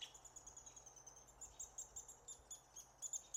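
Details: American three-toed woodpecker nestlings begging while being fed near Willow, Alaska, in June 2016: thin, very high chittering notes, several per second, in quick irregular bursts over a soft background hiss.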